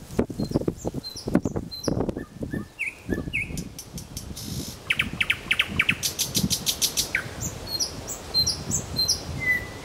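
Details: Nightingale in Kuzminsky forest park giving a varied song: slurred whistles, then a fast run of sharp clicking notes and high piping, with a low background rumble throughout.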